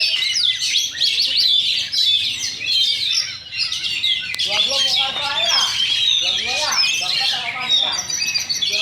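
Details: Magpie-robin (kacer) in full song: rich, fast whistled phrases with sweeps, trills and sharp notes, delivered almost without pause. Lower chattering notes mix in from other birds.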